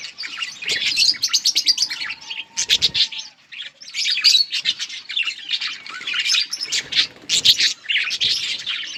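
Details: Colony of breeding budgerigars chirping: rapid, rhythmic bursts of sharp chatter, one long low whistled note near the start, fluttering pauses between groups of calls.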